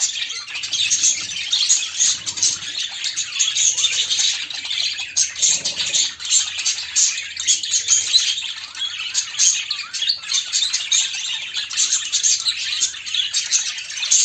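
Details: Pet budgerigars during female-to-male mating display; steady run of rapid, scratchy high chirps and warbled trills, unbroken for the whole stretch, with faint low thumps underneath.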